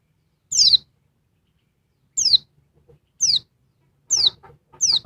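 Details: Noisy female oriental white-eye of the Dakun Bali type, calling in a way that agitates the male: short, very high, sharply falling chirps, single or paired, separated by silences of one to two seconds, with faint low thumps beneath.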